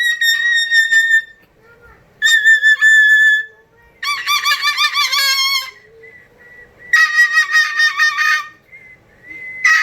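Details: Indoor pet cockatoo repeating a learned whistle trick, a sound its owner jokingly calls the most annoying in the world: loud, buzzy, warbling whistles in bursts of one to two seconds with short pauses between them.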